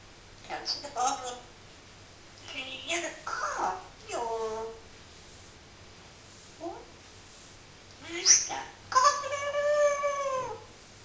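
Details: Pet parrot talking in a string of clipped, speech-like syllables separated by short gaps, closing with a drawn-out, clear, tonal vowel that holds steady for about a second.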